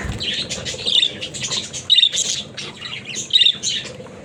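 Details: Pet budgerigars chattering indoors: a busy stream of scratchy, buzzy warbles and short squawks, with bright peaks roughly every second and near-constant bird noise throughout.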